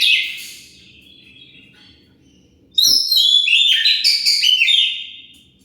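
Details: Oriental magpie-robin singing as bait to draw an answer from other birds: a brief phrase fading out, a quiet gap, then a three-second rush of rich whistled, rising and falling notes.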